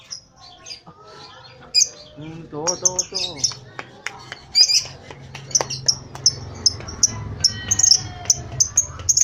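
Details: Short chatter from a lovebird: scattered rasping notes, then a steady series of high sharp chirps roughly twice a second over a low background hum.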